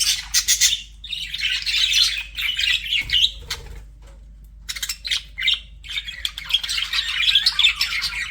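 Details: Budgies flirting with warbled chirping in two bursts, broken by a quiet pause of about two seconds with a soft low rustle, then the high chatter returns and builds.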